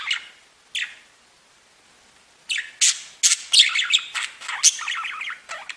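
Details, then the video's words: Pet budgerigars singing and tweeting: two isolated sharp chirps, a quiet pause, then a quick run of loud squeaky notes and buzzy warbling toward the end. "Веселое пение волнистых попугайчиков / Funny singing of wavy parrots"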